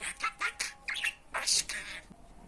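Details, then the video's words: Budgerigar speaking Turkish phrases such as "Hani benim fıstığım" for teaching pet budgies; a quick run of gritty, word-like squawks and a bright harsh burst near the end. "Muhabbet Kuşu Konuşturma Sesi-Hani Benim Fıstığım Benim Aşkım, İyi Günler"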